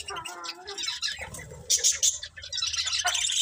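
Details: Budgies warbling in a chattering, almost talking style, with low murmured phrases giving way to loud high chirps and a continuous scratchy twitter.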